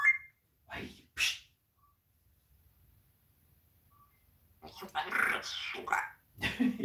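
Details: Swearing pet parrot talking with its owner indoors on a live stream. Brief squawk and hoarse, breathy speech-like bursts, then a longer run of raspy, high-pitched chatter, possibly mixed with human speech.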